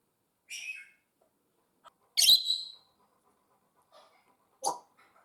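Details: Pet African grey parrots at home, a squawk, then a louder harsh whistle-squawk, and a lower clipped call, each separated by quiet gaps.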